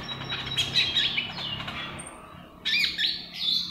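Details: Common iora, trotolan style, a caged bird whose song is used to prompt other birds to sing: high chirped and trilled phrases, a pause, then a loud burst of sharp warbling notes; low hum beneath.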